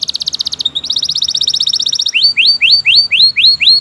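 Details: Canary in long continuous song, a tutor recording for training: rapid buzzy trills of repeated notes, a brief pause, another fast trill, then a series of rising slurred whistles repeated about every quarter second.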